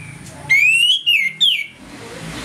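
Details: One short phrase of orange-headed thrush 'ngeplong' morning song, a lure to make birds aggressive: a long rising whistle followed by two loud slurred downward notes.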